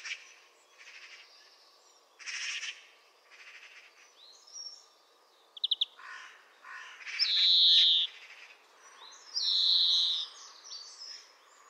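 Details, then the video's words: European greenfinch (Chloris chloris) song: bursts of high, buzzy trills and twittering notes, with the loudest wheezy phrases near the end, over a steady hiss. "Canto do Verdilhão"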